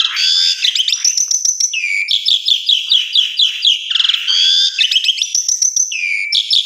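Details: Song of an Asian pied starling played as a lure for other birds: continuous jumbled chatter of whistles, squeaks and buzzy rattles, with falling slurred notes recurring every couple of seconds.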